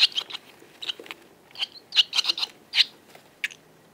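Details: Barn swallows in a group call with scattered bright, clipped chirps, some single and some in tight runs of three or four notes, spread irregularly over a few seconds.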